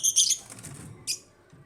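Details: Pet African lovebirds in an aviary: a quick pair of sharp, high chirps followed by a single shrill squeak after a brief gap.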